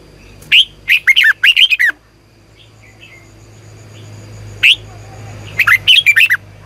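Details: Red-whiskered bulbul singing for morning training, with a phrase of rapid warbled whistles, a long gap with faint chirps over a low steady hum, then a single note and another quick whistled run.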